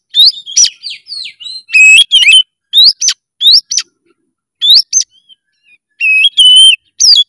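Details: Oriental magpie-robin singing with full emotion: repeated loud rising whistles, stuttering clusters of sharp chirps, and a steady held whistled note late in the phrase, delivered in lively irregular bursts.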